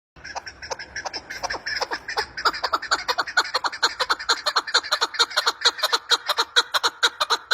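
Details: Female chukar partridge calling: a fast, steady series of short clucking notes, about two per second, rising in loudness and pace through the clip.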